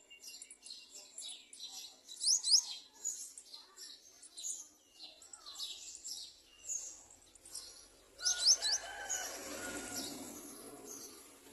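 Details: Nestling garden sunbirds being fed by adults, begging with dense flurries of sharp, high-pitched chirps, loudest in outbursts near the start and again later, followed by a rushing, hissy noise.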